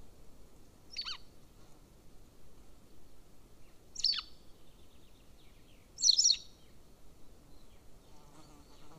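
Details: Golden eagle at nest camera 2 in Estonia, near a military training ground, recorded 13 May 2024 at 15:11: three thin, high, sharp yelping calls with short downward tails, spaced about two to three seconds apart, over a low background hum.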